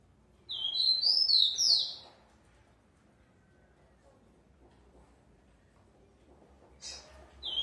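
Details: A captive-bred rufous-collared sparrow, described as a very fast singer, sings a high, clear phrase of sweet slurred whistles lasting about a second and a half; after a quiet pause, a couple of brief high notes follow.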